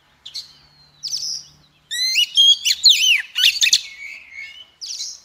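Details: Female Oriental magpie-robin song to stimulate the males: a few whistled notes, then a loud, rapid cascade of looping, warbled phrases and sharp chirps.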